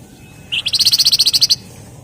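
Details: Javan fulvetta (wergan jawa, flamboyan) singing actively in the dense rapid 'ngebren rapat' style: a tight, high, buzzy trill of about twelve quick pulses lasting one second, opening with a lower note, over quiet background.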